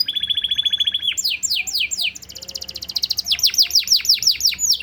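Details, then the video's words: Canary singing a master song to trigger other birds, in cengkok style: a steady rattling trill lasting about a second, followed by series of steep downslurred whistles repeated quickly. "masteran kenari cengkok super rasa blak strut - bikin burung lain kepancing gacor"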